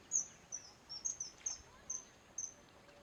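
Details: Pied kingfisher perched on a tree branch at Keoladeo National Park, India, in winter (February), giving thin, very high, sharp chips, about seven in three seconds at an uneven pace, over a soft steady background hiss.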